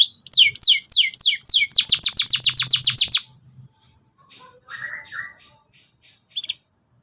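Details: Canary song used as a lure and tutor for young canaries learning to sing: three seconds of rapid, repeated down-slurred whistled notes at about four per second, then near silence with a short low buzzy phrase and a brief high note.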